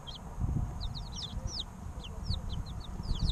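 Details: Three-week-old baby chickens giving clear, slightly longer downward-sweeping peeps, a few birds calling in loose succession over a rumbling low-pitched background.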